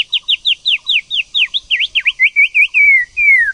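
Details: White-rumped shama, female prompting a male to sing: a fast run of about fifteen bright downslurred whistles, roughly four per second, ending in slurred falling notes and a long descending whistle.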